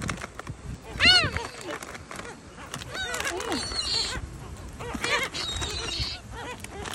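Several gulls give harsh, rising squeals and mewing cries in irregular bursts, the loudest about a second in, over a busy background of overlapping calls and faint voices.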